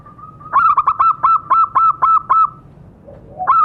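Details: Perkutut, or zebra dove, lure call meant to make captive birds start singing: a held note leading into a rapid run of about eight clipped, hollow coos, evenly spaced, then a brief pause before another phrase begins.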